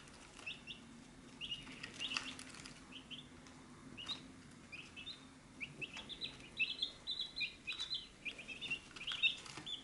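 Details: Chicks at a feed dish peep steadily through ten seconds, starting sparse and building into dense overlapping high chirps in the second half. Scattered clicks and taps are heard, along with a low background hum.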